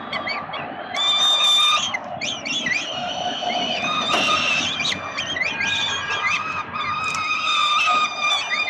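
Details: Hungry peregrine falcon nestlings being fed by the male, Melbourne, Australia, 30 October 2021: continuous chorus of piercing, harmonic screams with some wavering, rising-and-falling notes, several voices overlapping.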